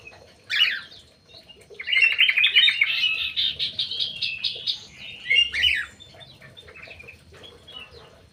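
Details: Crewet in an aviary delivering a sustained, rapid chattering warble of dense buzzy notes for about four seconds after a single sharp opening note, then fading into quieter scattered chirps.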